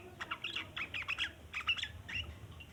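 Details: Sooty-headed bulbul's long chatter, used to attract untamed bulbuls; a brief lively sequence of harsh, twittering notes in two or three quick bursts over low background hum.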